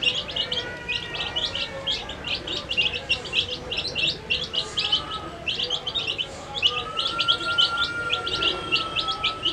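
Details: Colourful dyed baby chickens feeding, many birds giving rapid high-pitched peeps in a continuous, busy chorus over a low background hum.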